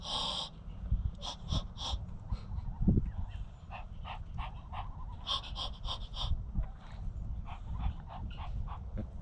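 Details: Muscovy duck of a family greeted in the morning answers a person's calls with a rapid run of breathy, hissing huffs, about two per second, over low background rumble.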